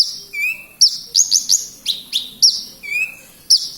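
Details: Horsfield's bushlark singing in full, lively voice (gacor) in Kediri: a quick, varied run of high chirps, sharp upslurred notes and short trills, with a level whistled note near the start and another near the end.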